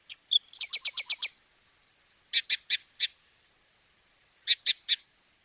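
Sedge Wren: a quick run of about eight dry, high chips, then two short bursts of three or four harsh notes. No other sounds are heard.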